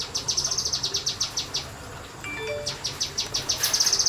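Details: A white-eye (kinoi) in a semi-natural aviary sings a rapid burst of high, sharp notes, about eight per second, breaks off briefly, then rattles on again, with faint lower chirps from another bird during the pause.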